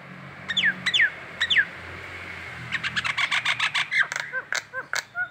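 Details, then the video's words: Collared kingfisher in Indonesia giving its morning ngekek call: three steep falling whistles, then a fast, even chatter of harsh clipped notes ending in short downslurred calls, over a steady low hum. "si jabrik ngekek pagi,pagi"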